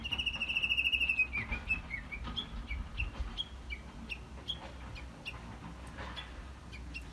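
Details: Unseen Japanese bush warbler giving a loud, rapid, buzzy trill for about a second, followed by scattered short, sharp, high chirps repeated irregularly over low background rumble.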